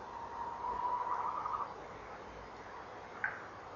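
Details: Tawny owls calling by their nest box on a November 2013 evening at 19:22: a steady hoot breaking into a quavering tremolo over a hissy background, followed by one sharp, higher-pitched note.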